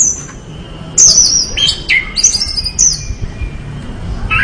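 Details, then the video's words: Orange-headed thrush pouring out vigorous song of high, sliding whistles and twisting warbled phrases, some swooping downward, with short gaps between phrases. "anis merah gacor"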